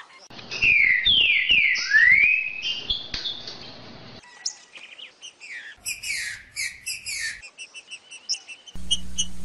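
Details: Captive-bird stimulation recording of a green-winged saltator: strong whistled phrases, several sliding down and one sweeping up in the first seconds, followed by softer scattered chirps and clicks after an abrupt cut.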